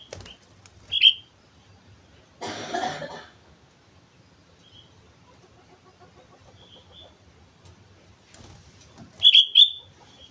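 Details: Sooty-headed bulbul, Mount Slamet, singing vigorously: a brief fluty note pair early on, a rustling noise burst, a few faint notes, then a final doubled liquid phrase near the end.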